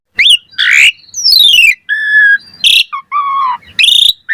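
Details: Short snatch of Asian pied starling song used as a lure: a rising whistle, harsh rasping squawks, a downslurred buzzy phrase and several steady mid-pitched whistles.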